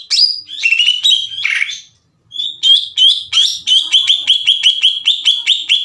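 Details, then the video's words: Greater green leafbird singing loudly to rouse rival leafbirds: mixed harsh and whistled phrases, a pause, then a rapid steady string of sharp chipping notes repeated nearly three times per second. "PANCINGAN CUCAK IJO GACOR CEPAT MENAIKAN EMOSI CUCAK IJO LAIN"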